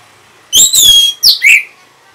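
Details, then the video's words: Orange-headed thrush (Anis Merah) used as a lure call gives a loud, rich burst of high whistled notes, then a quick slurred phrase, all within about a second and a half. "Reaksi ANIS MERAH Saat Dipancing Suara Ini !! Langsung Nyaut"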